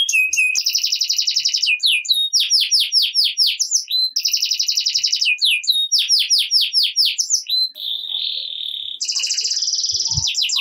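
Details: Canary song, a 'gacor ngerek' lure for reluctant canaries: two long phrases of dense buzzy rolls and rapid downswept chirps, followed by a flat humming whistle and a high rattling trill.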